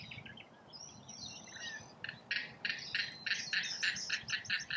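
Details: Rainbow lorikeets feeding in Australia: brief high chatter and a thin whistle give way to loud, pulsed metallic screeches repeated about three times a second.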